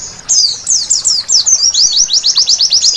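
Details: White-eye singing at night, a recording meant as therapy to make birds sing vigorously: a rapid, high, twittering run of chirps that turns into a steady series of quick, buzzy, downward-sweeping notes, about six or seven per second, with no other sounds.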